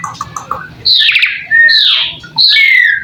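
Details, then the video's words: Asian pied starling (jalak suren) singing a masteran song: loud slurred whistles sweeping between about two and four kilohertz in three long phrases, with a faint low hum underneath. "Suara burung jalak suren , full masteran"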